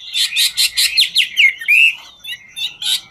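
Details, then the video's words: Chinese hwamei, "ngũ trường" singer, dancing while singing; a fast series of buzzy trills followed by a clear rising whistle and scattered softer notes. "Họa mi ngũ trường hót múa cực chất"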